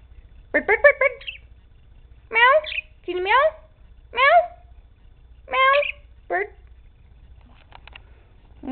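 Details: Pet male Quaker parrot in a small room, acting silly and shy, repeating short harmonic word-like bursts in clusters, rising and falling, separated by brief pauses, as though saying bird.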